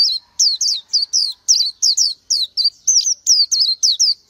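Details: Oriental white-eye, a tiny bird of forest and scrub, sings a brisk sequence of high, slurred whistles that twist up and down, evenly spaced about three per second, clearly and without background noise.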